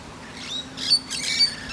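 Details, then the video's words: A Musk lorikeet perched resting on a tree branch, chatting to other birds, gives two shrill, buzzy screeches in quick succession, high-pitched and harsh, over a quiet background. "Musk lorikeet"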